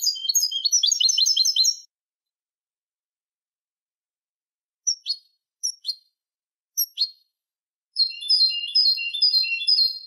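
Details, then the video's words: Goldfinch song for training young goldfinches: a fast burst of tinkling twitters, a silent gap, four short separate sharp chirps, then another stretch of rapid liquid twittering. "الشريط الملكي لتسميع فراخ الحسون 2020 - Goldfinch Song - Jilguero Canto"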